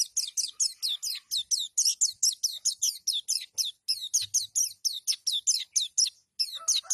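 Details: Pleci, the oriental white-eye, delivering its 'nembak' style song meant to overpower a rival bird. Continuous rapid high-pitched chirps are given in a steady run of about four per second, with one brief pause near the end.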